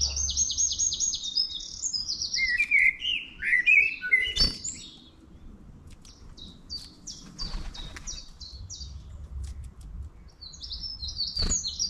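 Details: Long-tailed tit visiting a town, opening with a rapid string of high, rasping trilled notes, followed by lower tumbling chirps, later scattered thin high calls and a final short buzzy run, over faint background rumble.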